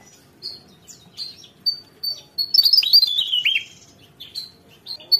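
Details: Lively Javan tesia song: several thin, spaced high notes building into a loud rush of cascading, descending whistles, then sparse high notes again.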